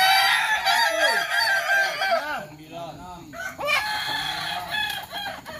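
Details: Crowing match of Kukuak Balenggek roosters in Sawah Lunto: dense overlapping crows, bending arched notes dipping and rising, a continuous chorus of several birds with uneven rhythm.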